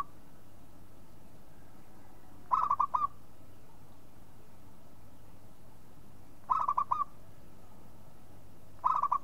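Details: Local perkutut, a zebra dove, giving three short bursts of rapid, bubbling staccato coo notes, spaced roughly two to four seconds apart, with steady low background noise.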